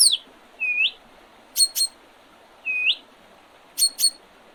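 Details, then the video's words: Spring birdsong recorded on 8 April 2023 by the Oredezh River, Leningrad Region, Russia: a falling whistle, a clear rising upslurred whistle, then two sharp high pips, the whole phrase given twice over a quiet background. "Весеннее пение птиц"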